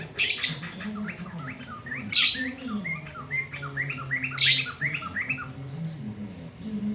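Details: A loud-voiced black-throated laughingthrush sings at midday, a tutor song for young birds: rapid strings of short upslurred whistles broken by harsh rasping bursts roughly every two seconds, over a low hum.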